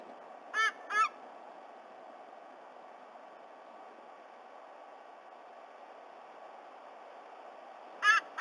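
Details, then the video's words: Black currawong at a White-bellied Sea-Eagle nest in Australia, calling back and forth with the eagle chick; two short harmonic notes, a long quiet gap with steady background hiss, then two more notes at the end. "Black currawong visits again"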